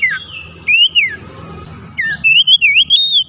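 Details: Song of a magpie-robin (kacer), played to make other magpie-robins sing. It has looping whistled phrases that rise and fall, then a quick run of wavering, warbled notes.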